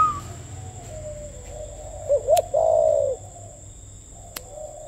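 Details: Spotted dove giving a 'gù tít' coo: two quick low clipped notes, then one long, level, hollow croon lasting about half a second, followed by quiet apart from a faint continuous high hum and a couple of clicks.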